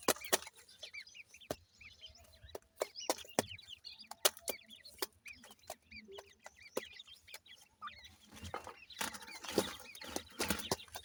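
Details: Several grey francolin chicks chirp continually, a dense series of high, thin, up-and-down peeps, with many sharp tapping clicks and rising rustling noise toward the end.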